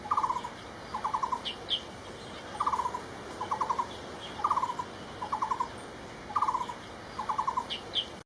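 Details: Barbet known as takur bukit giving short rattling bursts of four to five quick low notes, usually in pairs about a second apart, with faint higher chirps from another bird now and then.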